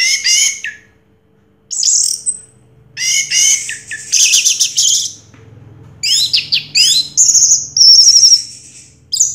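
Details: Orange-headed thrush that won first place in a 2022 contest, singing bursts of high rapid twittering and mimicry-like chatter with short gaps, closing on a fast high trill.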